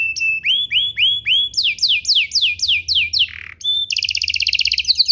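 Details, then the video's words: Canary song meant to trigger other canaries to sing back: rising whistled notes repeated quickly, then descending slurred phrases, a short rough burst, and a fast high rattling trill to close. "Pancingan Burung Kenari agar CEPAT BUNYI, terbukti ampuh bikin burung kenari lain nyaut"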